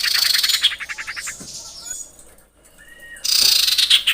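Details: Female common iora calling a male: quick, regular trains of short, sharp notes, about three to four per second, with a brief thin whistle in a lull before another loud burst of rapid notes.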